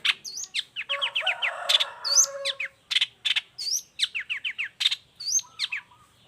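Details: Long-tailed shrike song meant to tutor and lure other shrikes. Quick series of descending slurred whistles and looping high notes repeat over a brief warbled passage, with harsh chips between them.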